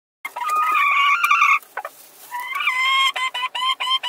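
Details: Two hens fighting to lay an egg in the same place at the same time: loud, harsh squawking cries that run on for over a second, then a drawn, wavering call followed by a quick series of sharp clucks.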